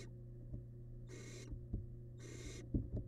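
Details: Barn owl young in a monitored nest box, wild, devouring a large piece of rabbit; two breathy snore-like hisses about a second apart, with sharp knocks and light tapping against a low hum.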